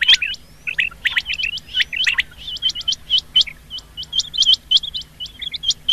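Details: Rain quail luring call for hunting: loud, metallic, upward-hooked notes in rapid clusters, first dense and overlapping, then spaced into even groups of two or three.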